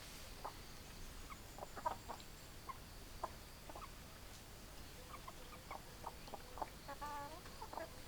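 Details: Chickens giving scattered, soft clucks at uneven intervals, then a brief cluster of rising, wavering notes near the end, against a steady hissy background.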